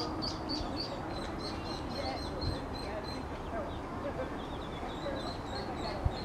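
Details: Ducklings with their mother duck at Iffley Lock on the River Thames in Oxford, exploring river and towpath: a run of thin, high peeps, short and evenly repeated several times a second, over a steady low outdoor rumble.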